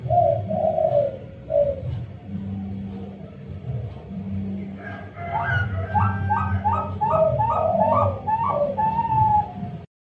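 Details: Young zebra dove of Bangkok type, captive-bred at a bird farm in Jepara, Central Java, hatched 19 May 2022. A few low, soft cooing notes come first, then a quick run of clipped, higher notes over a steady low hum.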